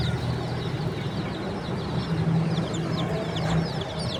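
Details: Quiet high peeping of baby chickens, thin falling notes scattered through the clip, with a loud low hum dominating the background.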